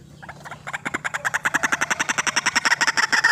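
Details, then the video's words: White-breasted waterhen used for luring birds: a quick series of croaking notes that speeds up into an insistent, evenly pulsed chatter, about four per second, growing louder throughout. "RUAK RUAK GACOR GANAS RAJANYA PIKAT"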